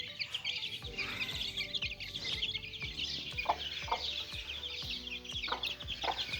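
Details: A brood of little chicken chicks playing together: many overlapping thin, high cheeps in quick succession, with music running quietly underneath and a few soft thuds.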